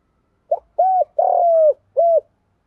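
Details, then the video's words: Spotted dove used as a decoy bird, calling to provoke rival males: a short cooing phrase of four mellow notes, a brief opening coo, a hooded coo, a long drawn falling coo, then a single trailing note, in a quiet setting. "Tiếng cu gáy mồi gáy gọi kích bổi chuẩn"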